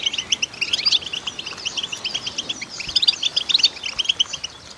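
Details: Female goldfinch singing a fast, liquid twitter of high, bright chirps and trills, tumbling on without pause.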